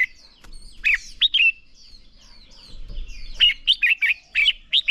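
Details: Red-whiskered bulbul in training audio meant to provoke strong competition singing; a few clear whistled notes, a quieter gap with distant twitters, then a fast run of about eight loud, rising and falling warbles.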